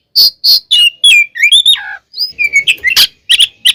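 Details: Oriental magpie-robin (kacer) in full fighting song to provoke other birds: quick loud chips about three per second, sliding and falling whistles, then a run of bright staccato notes, close and clean.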